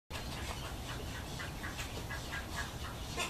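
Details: Cattle egret with chicks: rapid harsh chattering pulses repeated several times a second, steady throughout, over a constant low rumble of background noise.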